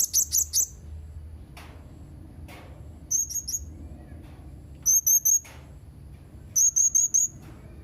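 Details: Blue-crowned hanging parrot calling, recorded 31 March 2021: bursts of three to four very high, sharp whistled notes repeated every one and a half to two seconds, with faint low background rumble.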